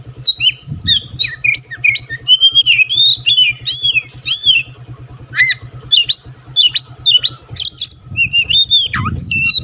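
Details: Singing white-rumped shama, tail fanned, whose song is said to set other shamas singing: rich rapid phrases of clear whistles, upslurs, downswept notes and harsh squawks, with a faint low engine hum.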